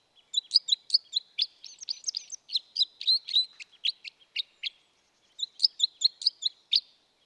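Red crossbill giving rapid, sharp metallic chips, about four per second in a run of four seconds, then a second burst after a brief pause.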